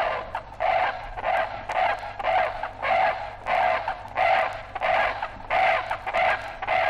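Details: Brolga pair from an Australian wildlife record of 1968 giving repeated, lower, rough trumpeting calls, about ten evenly spaced notes over a steady background hiss.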